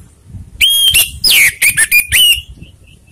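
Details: Orange-headed thrush lure song meant to rile rival birds, a quick sequence of about six loud whistled phrases, a level opening note then downward-slurring and wavering notes, ending with faint soft high peeps.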